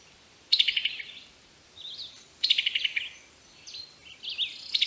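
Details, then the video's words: Brazilian tanager gives two bursts of rapid, high chirping notes about two seconds apart, interleaved with softer slurred whistles and short rising squeaks, with a soft constant background hiss. "PÁSSARO SANHAÇO VERMELHO"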